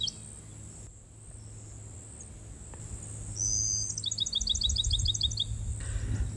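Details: A Bachman's Sparrow sings in midday heat in the pinelands of J.W. Corbett WMA, inland Florida. Its song is one long, clear, high whistle, then a quick, even trill of sweet notes, over a steady low background rumble.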